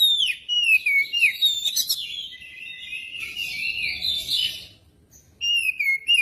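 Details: Oriental magpie-robin song meant to coax magpie-robins into singing: loud downslurred whistles and buzzy notes in a varied run, a short lull, then another clear falling whistle.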